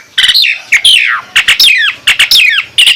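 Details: Dense, rapid Nias hill myna song, rich whistles and rasping notes crowding together and sweeping downward in quick phrases.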